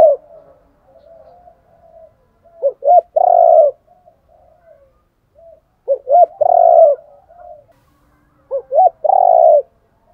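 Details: Spotted dove cock and hen decoy voices for training birds. Three evenly spaced phrases, each with two short rising notes and then a long, deep, purring coo, separated by quiet, softer murmured coos.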